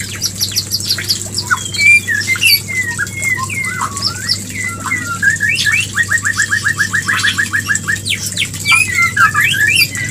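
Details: White-rumped shama mating song, played to bring a female into breeding condition: varied clear whistled phrases and rising slurs, then a fast run of repeated notes, over steady hum and background hiss.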